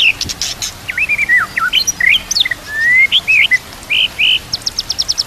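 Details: Murai batu (white-rumped shama) singing for a master training recording: a rapid run of looping, hooked whistles followed by a long rising whistle, then clipped high notes and a closing series of fast repeated high ticks.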